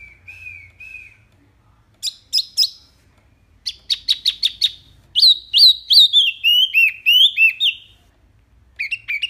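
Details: Loud, clear wambi mini, full of varied phrases, recorded to tutor songbirds; soft whistles, quick bursts of sharp ticks, then a tumbling run of descending whistled slurs and a closing short phrase.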